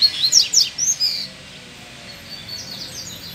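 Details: Free double-collared seedeater, excited by a nearby female, opens with a loud burst of high, rapid chirps and slurred whistles, then fades to softer, distant twittering.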